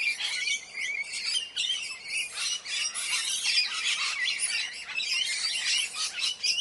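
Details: Continuous screeching chatter from a group of Indian parrots, with harsh, overlapping squawks and a few sharper shrieks throughout.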